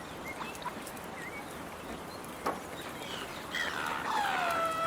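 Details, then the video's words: Gulls competing fiercely for food that a person is handing out, giving a few faint squeals, then a burst of harsh, overlapping, downslurred cries near the end over steady outdoor background noise. "Seagulls fighting over food, Seagulls calling"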